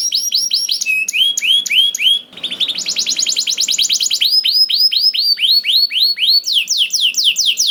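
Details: Singing canary used as a prompt for other canaries: upward-sweeping whistled notes repeated in series, a short gap, then a rapid rolling trill followed by more rising swept notes.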